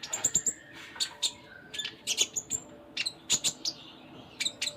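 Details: Konin (Sunda minivet) singing a full isian gacor song: busy bursts of sharp high ticks and short whistles, loosely clustered and repeated throughout.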